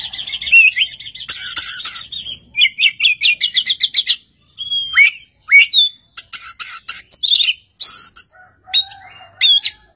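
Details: Oriental magpie-robin in full song, answered by another magpie-robin: a varied run of rich whistles, rising slurred notes and rapid repeated chips in quick bursts with short pauses.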